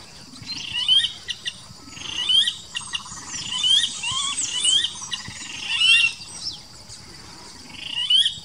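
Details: Blackish rail (Pardirallus nigricans) at Wildsumaco, Ecuador, giving shrill, squealing bursts every second or two over a steady high insect hum and other birds.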